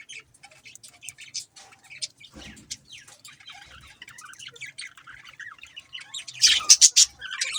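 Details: Budgies twitter in a steady stream of quick high chirps and squeaky warbles that build toward the end into a loud, harsh, chattering burst. A brief low thump sounds in the middle.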